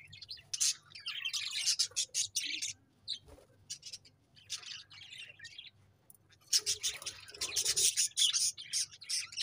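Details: Lively chirping from budgies, with busy high, scratchy warbles and quick notes in two main waves separated by a quieter stretch; a faint low hum runs throughout.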